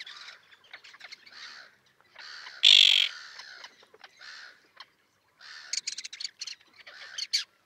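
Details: Common tern colony with chicks off Liepāja, Latvia, in June 2024, on a concrete block by a mole: soft rasping notes, a single loud harsh call midway, then rapid excited chattering.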